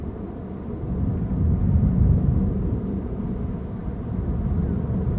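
Outdoors, a low continuous rumble like a vehicle or aircraft swells and fades, with no animal calls audible.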